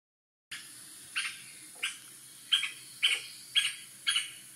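White-backed woodpecker giving short, harsh, high calls, about seven in four seconds at an uneven pace, over a steady faint hiss.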